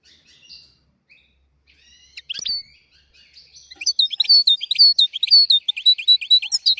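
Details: European goldfinch tutor song aimed at teaching young goldfinches and canaries, starting with faint distant twitters and a few sharp notes, then swelling into a lively run of bright chattering chirps.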